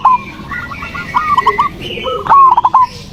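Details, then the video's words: Zebra dove song meant to provoke a silent dove into singing: two quick phrases of soft, clipped cooing notes running into a stuttered trill, over a faint hum. "pancingan perkutut malas bunyi"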